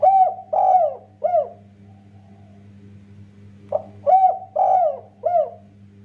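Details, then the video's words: Song of a spotted dove meant to get other doves singing: two phrases of three rich, low coos, the middle one drawn out, about three seconds apart, over a constant low hum. "Burung derkuku tekukur master gacor kuk 1,Paling cepat bikin tekukur lain ikutan bunyi"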